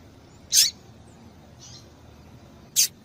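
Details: Female papa-capim seedeater call for warming up male songbirds: two bright, high, brief chips about two seconds apart, with a faint softer note between them and steady low hiss.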